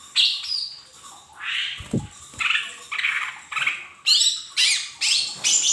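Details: Lesser green leafbird, mini type, recorded as a lure to make untrained caged birds sing quickly. It gives harsh, squawky notes about twice a second, shifting from lower rasping phrases to higher, sharper ones near the end, with one low thump.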